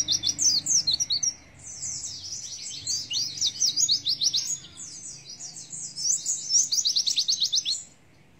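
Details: Oriental white-eye, 'nembak isian' song: long bursts of fast, high twittering and trilled notes. A brief lull comes after the first burst, and the clip ends in silence.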